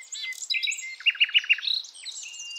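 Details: Wild nightingale of Javan forest, a female calling a male to lure young birds: bright warbled phrases with four loud clipped notes in a row and high tinkling tones.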